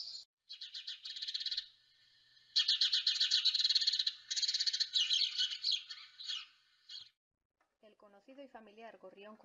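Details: Eurasian blue tit song recorded in the Montaña Palentina, Palencia, Spain: high, thin notes running into fast, bright trills for about seven seconds, then a man starts talking.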